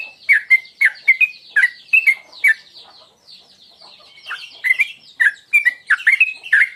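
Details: Sooty-headed bulbul, a lure call of the tuklik ngingklong style used to provoke singing: bright, chirpy, slurred notes in quick bursts, a pause, then another run of sharp falling and rising chirps.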